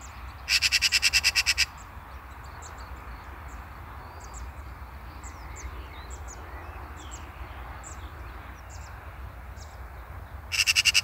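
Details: Eurasian magpie giving a harsh, rapid chattering rattle of about ten dry notes, a quiet stretch with faint distant bird chirps, then another rattle beginning at the end.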